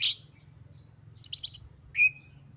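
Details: Excited Oriental magpie-robin song meant to provoke other magpie-robins into singing: a sharp high chip, a quick run of buzzy warbled notes, then a short rising whistle, with faint low hum underneath.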